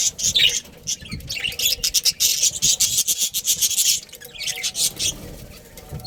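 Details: Chattering budgerigars in a colony, a continuous run of buzzy, scratchy high notes and chirps that rise and fall in loudness.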